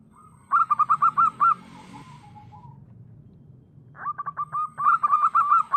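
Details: Wild local zebra dove song for luring: a quick run of short rounded cooing notes, a pause of over two seconds, then a longer burst of soft repeated notes ending in rounded hooted phrases, with faint background hum.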